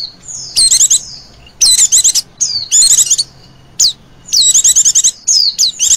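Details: Female Oriental white-eye lure call with a trilling quality, used to attract birds. Short, choppy bursts of high chattering trills mix with thin downslurred notes in an uneven rhythm.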